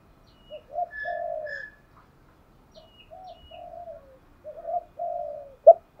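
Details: Spotted dove decoy calling to draw in other doves: fairly quiet, drawn-out low coos in short pairs across the clip, with faint higher whistled notes above and a sharp click near the end.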